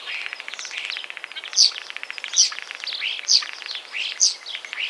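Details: Common starling (Sturnus vulgaris) song: a rapid dry rattle of clicks runs throughout, punctuated by sharp high squeaky notes repeated about once a second.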